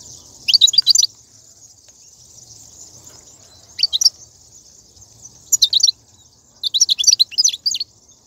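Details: Wild European goldfinch recorded in 2019, a twittering 'batbata' song used to spur caged birds to sing: four short bursts of rapid, high, tinkling notes separated by pauses, over a steady high hiss.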